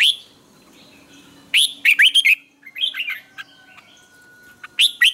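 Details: Morning song of a Red-whiskered bulbul, used to train other caged bulbuls, with double twisted notes: loud rapid bursts of bright, twisting, warbled notes, a softer run of chirps in the middle, and a thin steady tone beneath.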